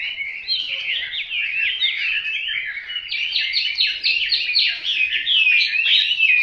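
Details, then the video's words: Hwamei pouring out a steady, loud stream of fluty whistles and rapid slurred notes, repeated sweeping phrases growing denser toward the end, ending on a long clear whistle. "Họa mi tuyển chọn"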